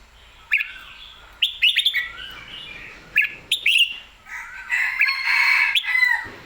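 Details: Excited Red-whiskered bulbul in clear, full song: bright whistled notes with quick upward flicks and gliding descents, then a denser warbling run near the end.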